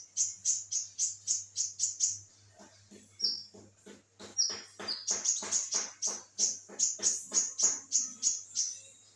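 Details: Olive-backed sunbird in full song: a fast run of sharp, very high chipping notes, about three per second. The run pauses briefly, then resumes with short downslurred whistles and more rapid high chips.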